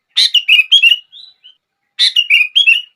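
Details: Song of a sooty-headed bulbul, played to get other bulbuls singing. A fluid phrase of four warbled whistles, then two faint soft notes, then the same bright phrase repeated. The background is clean.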